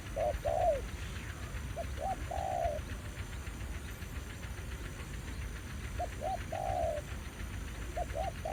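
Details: Spotted dove at a trapping ground in Vietnam, male responding to a decoy. Scattered clusters of short coos ending in a longer flat note, separated by a quiet gap, over steady low rumble.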